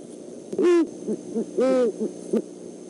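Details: At night on 12-17-14, a great horned owl pair, both male and female, checks out the Decorah eagle nest: two loud, deep hoots about a second apart, with soft, short low notes between and after them.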